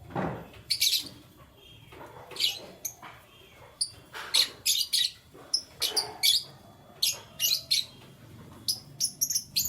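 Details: Canaries chirping in the morning: bright, high chirps in short bursts come repeatedly throughout, some quick double notes, over a faint low background hum.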